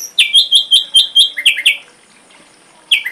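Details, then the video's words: For a complete songbird tutor recording, an ashy drongo gives a rhythmic series of six clipped whistled notes about four per second, then two downslurred double notes, a pause, and another double slur. "Masteran srigunting abu abu isian lengkap"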